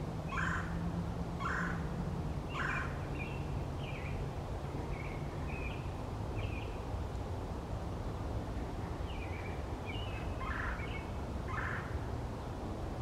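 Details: Male red-bellied woodpecker in a forest: three harsh, rolling calls about a second apart, then thin chirping notes and two more rough calls near the end, over a steady low rumble of background noise.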